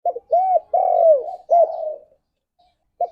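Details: Spotted dove cooing used as a morning lure to stimulate mating: a clipped note, an arched coo, then a long rich coo sliding downward, followed by another coo and trailing murmur before a brief pause.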